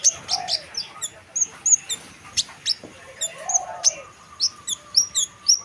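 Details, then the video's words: Chestnut munia singing eagerly, a steady stream of high, thin, slightly buzzy whistled notes in irregular pairs and triplets, with occasional clicks and faint lower chirps from other birds nearby. "Burung Kemade Spek Gacor dor owor owor"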